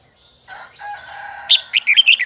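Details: Huế-type red-whiskered bulbul in its high double twisted voice: a lower, hoarse warbling passage leads into a burst of loud, sharp whistled notes that twist up and down.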